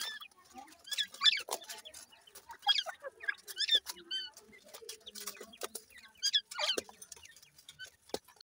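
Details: Chorus of grey francolin chicks: repeated high, slightly arched peeping notes in quick clusters about every second, over a background of clicks and scuffling.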